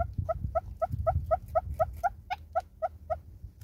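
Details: Southern red-billed hornbill singing in South Africa: a steady run of about fourteen mid-pitched clucks, roughly four per second, with low rumbling background noise.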